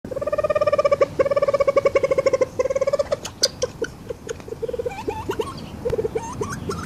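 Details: Reeves's pheasant giving a long run of rapid, buzzy pulsed notes in stuttering bursts, then scattered short clucks and brief rising slurred notes.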